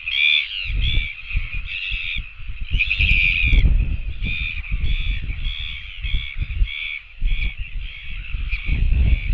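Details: Royal albatross chicks begging for food call in a rapid series of clipped, harmonic, squealing notes, roughly two per second, against strong continuous wind noise.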